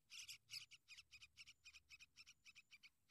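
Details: Sooty-headed bulbul guarding and tending its young gives a steady series of scratchy, chattering notes, roughly three each second, with every note split into a rough double rasp.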